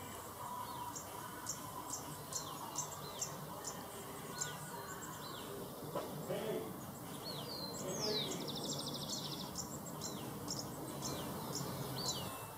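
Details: Two Mountain Elaenia fledglings from a successful brood in a garden, begging for food while huddling together for warmth: thin high downslurred squeaks repeated every second or so, with a buzzy rattling note, over steady broad background noise.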